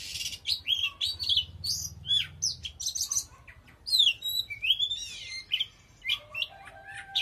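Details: Oriental magpie-robin singing very intensely: a rapid, varied run of sharp whistles, slurred chirps and buzzy notes, some rising and some falling, with short harsh bursts between phrases.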